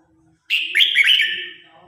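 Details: Competition song of a red-whiskered bulbul calling its flock: one bright, fluid phrase of rolling whistled notes that swoop down and up, trailing off over a faint low hum.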